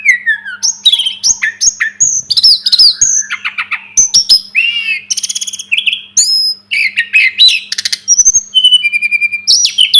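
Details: Sunda robin song used as a tutor recording for training birds: a dense, fast medley of high chirps, sharp slurred whistles and rapid buzzy trills, with notes tumbling almost without pause, over a faint steady low hum.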